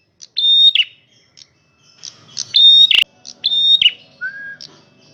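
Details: Male red prinia singing loudly, giving three phrases of a flat high whistle ending in a buzzy burst, with a sharp click near the middle and a short lower whistle afterward.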